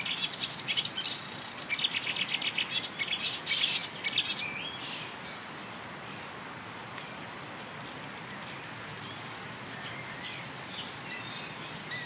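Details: Marsh warbler singing on a railway embankment at Bernau-Friedenstal in May 2013, mimicking many other birds such as tit, blackbird, lark, goldfinch and starling. A rapid, varied jumble of chattering, whistled and trilled phrases fills the first four seconds, followed by quieter, sparse notes.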